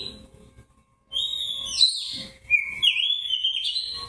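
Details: Oriental magpie-robin, white-breasted form, singing in fighting style: loud slurred whistles, a bright high phrase followed by a long wavering whistle that rises and falls, after a near-silent opening second.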